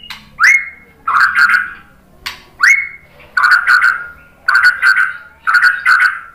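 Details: White-rumped shama singing to draw other birds in: a sharply rising whistle followed by a rich chattering phrase, repeated about five times at roughly one-second intervals.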